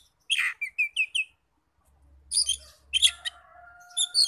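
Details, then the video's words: Oriental magpie-robin song used as a lure to rouse other magpie-robins into singing: a quick series of sharp high chirps and short upslurred whistles, a pause, then bursts of bright notes over a faint steady tone and low hum. "PANCINGAN NAIKAN EMOSI KACER 100% IKUT NYAUT NGEPLONG"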